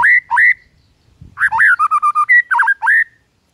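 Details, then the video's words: White-rumped shama morning song provoking rivals: two clear rising whistles, a short pause, then a quick phrase of repeated even notes and slurred whistles. "HITUNGAN DETIK DI PAGI HARI BIKIN MURAI LAWAN AUTO NAIK EMOSI SEKETIKA"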